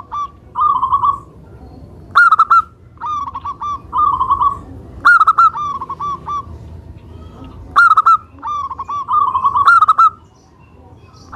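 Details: Indonesian local zebra dove song, meant to coax other doves to sing: short rolling coo phrases follow each other steadily, every few seconds punctuated by a louder, sharper opening burst.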